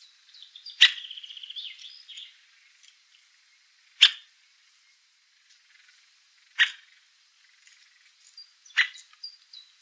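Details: Three-toed woodpecker (Picoides tridactylus): sharp, abrupt single call notes about every two to three seconds, each a brief explosive click, the first followed by a short rattling trail; otherwise quiet.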